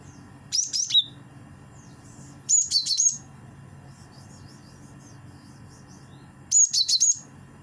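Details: Cinereous tit used as a lure sound, giving three bursts of rapid, high, thin chirps, each a quick cluster of several notes, spaced two to four seconds apart over soft low background hum.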